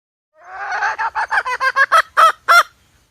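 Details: Hen call played as bait for trapping: a smeared, wavering opening note followed by around nine harsh, clipped clucks that grow louder and more spaced toward the end.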